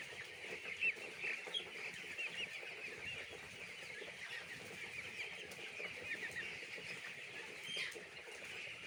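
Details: Many chicks at a poultry farm keep up a continuous chorus of thin, high peeps, with a few louder chirps standing out above the busy murmur.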